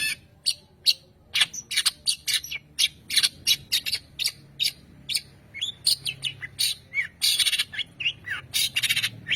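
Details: Varied long-tailed shrike song: irregular harsh chattering notes and squawks mixed with short whistled slurs, becoming denser and noisier toward the end.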